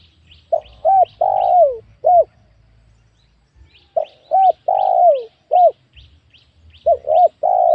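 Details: In a small new oil palm plantation, a wild spotted dove repeats its coo phrase: two short hoots, a long drooping coo and a final short note, heard twice, while tiny high chirps from other birds sprinkle the background.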